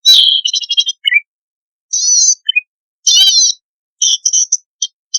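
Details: Zitting cisticola in chattering 'gacor' form, played as a lure to prompt newly caught wild birds to sing; loud buzzy, warbling high phrases alternating with short stuttered notes and brief downslurred chips, separated by silent gaps.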